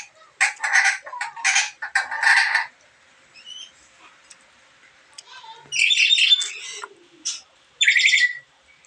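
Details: Black-capped lory giving strange calls: bursts of harsh, buzzy squawks in rapid series, then a quiet gap with a few faint notes, then more loud rasping bursts.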